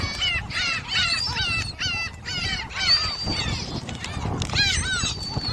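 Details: Gulls at Jebudo island, Korea, fed shrimp crackers, give quick series of sharp arched yelps, about two per second at first, then drawn-out thin wails, with background wind.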